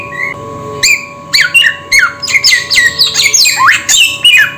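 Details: A samyong bird utters a quiet opening note, then a quickening string of sharp squawks and falling whistles, about ten notes in four seconds, over steady background hum.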